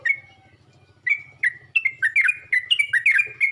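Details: Yellow-vented bulbul calling to others of its kind: a drawn-out whistled note, then short bright slurred chirps that quicken into a lively, tumbling chatter; faint low hum behind.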